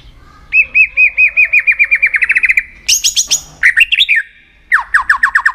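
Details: Rousing song of a white-rumped shama being trained for contests: a long series of evenly repeated whistled notes that speeds into a trill, then a high shrill burst, quick chatter and another repeated note series.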